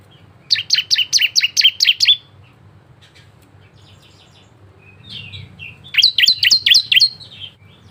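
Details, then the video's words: Bar-winged prinia singing energetically in varied song, used as a lure to get other prinias singing quickly: two bursts of about seven sharp, high chirping notes in quick succession, separated by a pause with a few softer notes. "CISEM GACOR,SUARA VARIASI ‼️ UNTUK PANCINGAN ciblek lain cepat bunyi"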